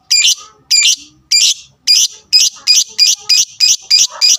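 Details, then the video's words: Lovebird's provoking fighter sound: harsh shrill notes, widely spaced at first, then speeding up into a rapid, insistent series. "suara bunyi fighternya bikin emosi lawan dengar sekali langsung terangsang bunyi"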